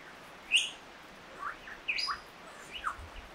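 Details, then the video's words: Lyrebird song: sparse, separate high chirps and short sliding whistled notes scattered across a few seconds, with quiet gaps between them and a faint low rumble of background noise. "Lyrebird's song"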